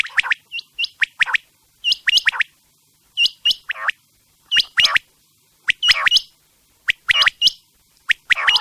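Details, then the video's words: Quail calling, intended for night use: repeated clusters of two to three clipped, sharp notes with a harsher downward-sweeping note, coming every second or so against a quiet background. "Quails sound specially for night | Raat k liye zabrdast batair ki awaz"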